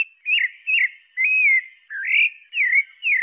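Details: Pale-breasted thrush singing: a series of clear, mellow whistled phrases, each slurring up and down, about six in three seconds with short gaps between them.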